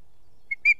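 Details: Osprey in Estonia on a foggy 2 September 2018: three short, clear whistled chirps in under a second, a faint brief one, then a slightly longer piping note and a quick rising final chirp, otherwise quiet.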